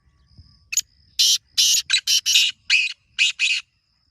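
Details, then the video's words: Kala teetar, the black francolin, delivering a long rattling sequence of about nine coarse, grating notes, single and paired, in quick irregular rhythm, with faint low background rumble at the start. "کالے تیتر کی مست آوازیں 🔊 | یہ آواز سن کر تیتر ضرور بولے گا | Original Black Teetar Sound"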